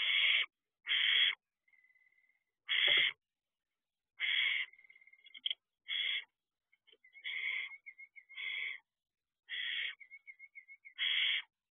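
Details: Barn owl owlets at a nest box at night, around 3:26 am in June, some on perches or in the doorway. Repeated harsh broadband hisses or screeches, about ten bursts, interspersed with thin high wavering whistle-like tones.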